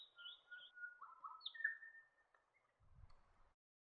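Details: Swift parrot, a species that breeds in Tasmania in summer and feeds on flowering eucalypts in small groups, giving a run of clear whistled notes, some flat and some sliding down, followed by a brief low rumble.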